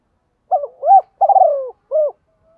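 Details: One complete coo phrase from a spotted dove used as a decoy in the morning: a short hoot, a rising coo, a long tremulous falling coo, then a single soft closing note; otherwise quiet.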